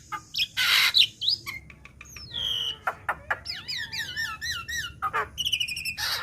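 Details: Black-winged myna juvenile in a lure recording: a harsh noisy blast opens, then scattered clicks, a drawn whistle and a quick series of looping upswept notes before ending in rasping bursts.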